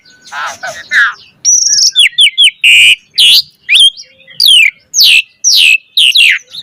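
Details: Asian pied starling pumping and singing rapidly as a lure: harsh scratchy notes open, followed by sharp high whistles and strong falling-then-rising slurred calls repeated about twice a second.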